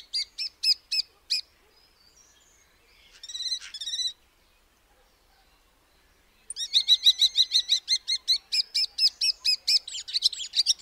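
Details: Common starling, also called European starling: bursts of rapid, buzzy, clicking notes high in pitch, a short series, another burst, then a long fast run of rhythmic repeated chatter after a pause.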